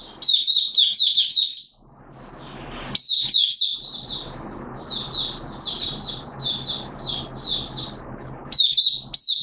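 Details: Oriental white-eye from Malaysia singing buka song in Singapore, 29 March 2023, during warm, humid weather with sudden showers. A rapid, high twittering run opens, then softer chirped phrases continue over a steady low background hiss, before loud twitters return.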